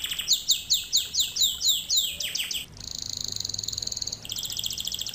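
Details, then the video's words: Singing canary in a teaching lesson: about ten loud descending swoops in quick succession, followed by a steady buzzing roll and a rapid pulsed trill. "Canary Singing - lesson 36"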